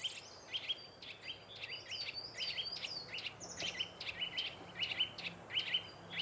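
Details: A nuthatch pair nesting in an old woodpecker hole in woodland give alarm calls to drive off a woodpecker near the nest: loud, sharp, high whistled notes sliding up and down, two or three a second, excited, over faint noise.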